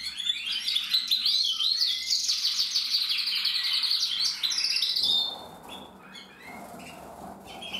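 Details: Energetic song of a male canary, recorded 2024, with rapid rolling trills and chirps for about five seconds, then a softer, quieter stretch with scattered notes.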